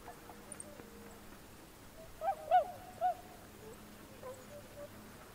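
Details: Tundra swans on water on January 31, 2016, captured with a Panasonic camera and external microphone; three short, bright honking calls in quick succession midway, with quieter calls and steady low background hum around them.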